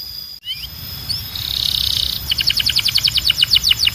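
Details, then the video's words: Belgian canary song from a training collection: a few soft whistles, a hissing buzzy stretch, then a rapid pulsed trill of repeated chip-like notes. "Canário Belga Cantando 2026 🔥 Canto Forte e Limpo Para Treinar Pássaros"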